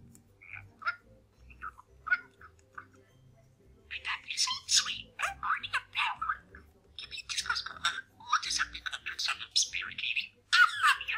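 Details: Pet male parakeet kept indoors, practising new sayings: soft scattered mumbles at first, then rapid chattering bursts of scratchy, warbling speech-like notes with short pauses.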